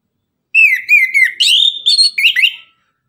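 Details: Morning tembakan song from an orange-headed thrush: a loud, fluid two-second string of slurred whistles descending then rising, broken into several quick phrases.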